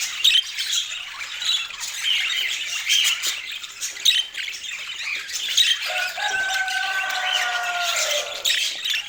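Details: Budgerigars in a dense, continuous flock chatter of rapid squawks and warbling chirps. A long, lower, drawn-out harmonic call cuts through briefly near the end.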